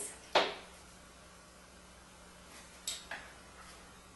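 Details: Quiet indoor room with a sharp knock near the start, then two softer clicks and taps like a drawer or cupboard, and no animal voice.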